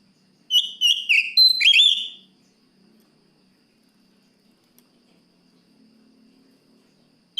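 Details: Oriental magpie-robin (kacer) singing to challenge a rival: one loud burst of quick whistled notes, several short descending slurs then a rising finish, followed by quiet with faint low hum and a click at the end.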